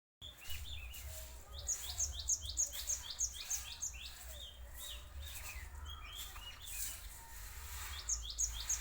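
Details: Cinereous tit song used as a lure for untrained cinereous tits: rapid runs of sharp, high, downslurred notes, about three per second, in a long burst early on and a shorter one near the end, over steady low hum and hiss.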